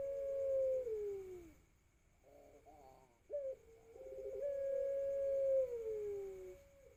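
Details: Young ringneck doves, 4 to 5 months old and just learning to coo, give long, drawn-out coos that hold steady then slide downward. Their first coos run longer because they are young and unsteady. Short broken notes fall between, over a faint steady hum.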